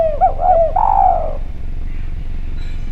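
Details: Clear-voiced spotted dove used as a calling lure: a rapid run of three short coos blends into a long, falling, drawn-out note in the first second and a half, followed by quiet low hum.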